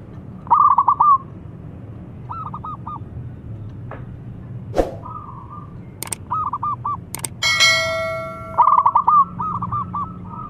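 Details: Local zebra dove in strong voice calling and answered by a rival: short stuttering coo phrases repeated several times, interrupted by sharp clicks and a brief sustained tonal squeal, over low background hum.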